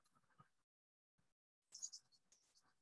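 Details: Anna's Hummingbird on an autonomous recorder around 7:30 in the morning, giving a few quiet, scratchy, buzzy high-pitched bursts, squeaky and dry, with a brief faint earlier phrase and a short pause; an American robin also vocalizes in the recording.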